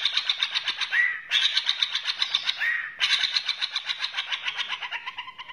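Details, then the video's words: White-rumped shama from Borneo delivering dense, fast rattling trills broken by short gaps, with a few clear upslurred whistles woven in. "murai borneo"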